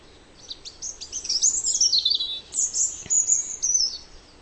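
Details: A European robin in a garden sings thin, high, liquid warbling phrases that tumble up and down in pitch, two bursts separated by a brief pause, with faint background hiss.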